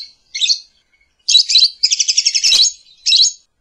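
A lovebird gives harsh, high, buzzy chattering notes in short bursts, with one longer rapid run of repeated squeaks and a brief click.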